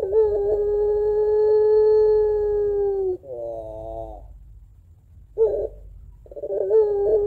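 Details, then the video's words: Domestic puter pelung dove, kept at home as a lure for other doves, gives a sustained plaintive hoot lasting about three seconds, drops into a trembling wavy coo, pauses, then resumes with a brief burst and another long note. "Puter Pelung Gacor Suara Menangis Panjang Kuwok 2 Not Sangat Cocok Buat Pancingan Puter Dirumah"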